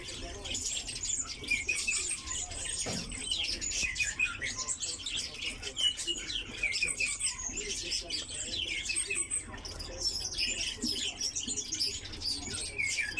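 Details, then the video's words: Greater short-toed lark, a captive bird, sings a continuous, rapid stream of high, dry chirps and twittering trills without pauses, with faint background murmur. "Малый жаворонок"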